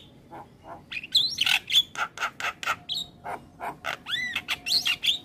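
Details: Javan myna in full, varied song used as a training recording: harsh broadband rasps alternating with clear high whistled notes and rising slurs, delivered in quick bursts of roughly three notes a second.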